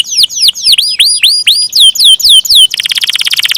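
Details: Canary singing a series of loud, slurred, descending whistles about three per second, ending in a rapid, dense trill.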